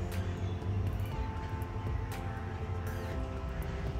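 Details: Background music over a heavy low rumble like passing traffic, with no animal voices standing out.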